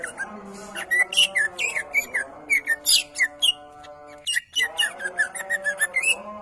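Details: Greater green leafbird, a champion songster, delivers a rapid medley of downslurred whistles and squeaky chirps, repeated in quick runs, over soft sustained background tones.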